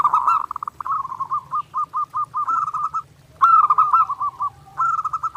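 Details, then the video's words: Zebra dove (perkutut) in clear, nonstop song meant for daily training: a rolling opening phrase, then a steady series of spaced coo notes, another bubbling run and a closing burst. "SUARA PERKUTUT GACOR NONSTOP | MASTERAN PERKUTUT JERNIH UNTUK LATIHAN HARIAN"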